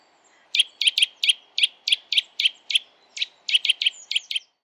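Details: Eurasian nuthatch song: a fast run of loud, clear whistled notes, about four per second, with a brief pause midway before the series resumes.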